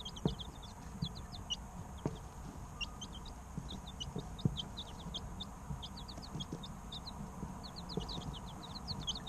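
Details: Several three-week-old chicks peeping steadily: short, shrill, descending notes in loose runs across the whole stretch, with occasional dull knocks and a constant low background hum.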